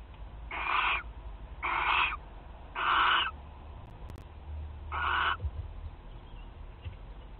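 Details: Barn owl at a nest box in Théding, France, on 29 March 2023, giving four harsh, hissing screeches, each about half a second long and roughly a second apart, with a pause before the last, over a low rumble.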